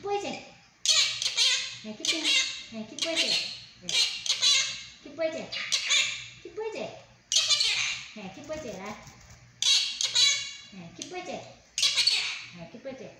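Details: Captive monk parakeet in a small room talking, repeating learned Chinese words and phrases in a rapid series of raspy, squawky, speech-like bursts roughly every second, some rising and falling, with short silences between.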